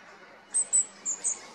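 A Long-tailed tit gives four very high, thin, sibilant notes in two quick pairs over about a second, with faint background hiss.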